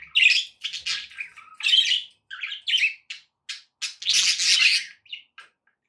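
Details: Pet budgies squawking and chirping in loud, harsh bursts, with a longer raspy chattering stretch toward the end.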